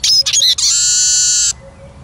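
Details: Eurasian siskin song: a few quick twittering notes run straight into a long, harsh, buzzy wheeze held steady for almost a second, then stops abruptly.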